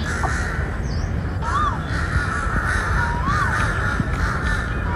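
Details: On a windy evening around 5 to 6:30 PM in a forest, a crow, said to be trying to attack the recordist, gives a couple of short, hoarse, rising-and-falling caws over steady low rumbling wind or handling noise.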